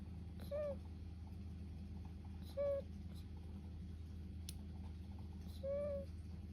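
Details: Sleeping domestic duck snoring: short squeaky tonal notes with a faint harmonic above, about one every two to three seconds, three in all, over a steady low background hum.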